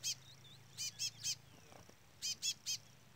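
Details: Chestnut-bellied seed finch setting where a chick keeps peeping while a brown-plumaged curió stays silent; harsh, buzzy chip notes come in tight groups of three, spaced about a second and a half apart, with faint low hum beneath.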